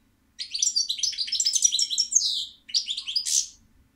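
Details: European goldfinch song: a dense, fast run of bright twittering and tinkling notes that lasts about two seconds, then a short pause and a second burst ending in a buzzy note.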